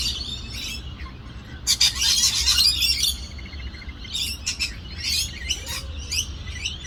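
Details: Fighting parrots in Australia burst into a loud, raspy screeching flurry lasting about a second, followed by scattered shorter squawks and chirps over a low background hum.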